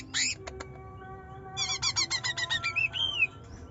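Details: Song of a young greater green leafbird in the 'nyerecet nembak' style, meant to provoke a reluctant bird: a sharp opening call, then a quick string of chattering notes ending in a slurred, rising whistle.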